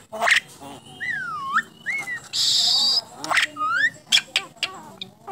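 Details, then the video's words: Champion contest starling that can talk: a harsh opening burst, a dipping whistle, short rising whistles, a steady hissing rush, then scratchy notes mixed with another bent whistle and clicking sounds. "Burung Jalak Bisa Bicara"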